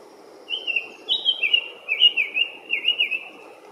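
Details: Young male Summer Tanager, mostly red with some yellow, rare for the place and season in coastal forest at Point Lobos, California, giving chattering pit-i-tuck calls: about four quick bursts of clipped high notes over three seconds, over soft wind or surf rumble.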